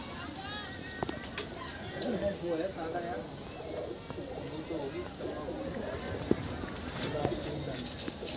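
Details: Low, soft rolling coos from a Rampuri Kalanch pigeon in Aligarh, repeated in short bursts, with human voices and outdoor noise in the background.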